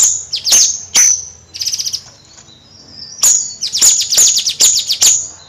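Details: Bayeman bird alternating sharp high notes, a brief dry rattle and a quiet pause, then a fast cascade of descending chips.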